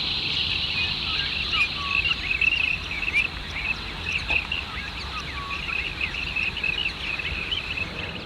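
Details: Several Rainbow Bee-eaters, arrived in great numbers to breed at Red Rock Heath, New South Wales, Australia, give short, rolling, cricket-like trilled 'prrip' notes in quick succession one morning over a steady high hiss.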